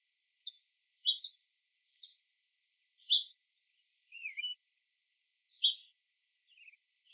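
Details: Scrub jay uttering a loose series of brief sharp notes about once a second, with a couple of downward-slurred scratchy notes mixed in, with no other sounds.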